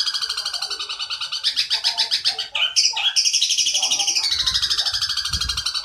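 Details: Long-tailed shrike song filled with long sparrow chattering and kuntilanak sounds for tutoring fledgling shrikes: high pulsed chatter, a few sharp squeaks midway, then a slowly falling buzzy trill with faint low thumps.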